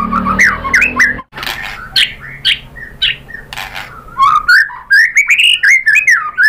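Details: A white-rumped shama's lure song to rouse a rival into song, varied fluty whistles, a burst of harsh rasping notes, then a quickening run of rising and falling whistled phrases.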